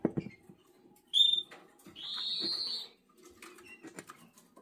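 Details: Canary chick of the black red mosaic jaspe SD variety, 11 days old. A short sharp whistle is followed by a longer, steady, hoarse whistled call. Faint clicks and shuffling follow.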